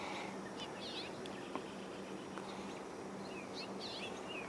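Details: A house finch vocalizing nearby on a poultry barn, 3 July 2023, gives short, bright, jumbled, twittering warbled phrases twice over steady background noise and a low hum.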